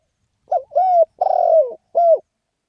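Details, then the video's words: Spotted dove giving a lively ขันโยน-style call: one four-note phrase with a brief opening coo, an arched middle note, a long raspy descending coo and a crisp final note. No other sounds. "เสียงนกเขาใหญ่ เสียงขันโยนเร้าๆ.."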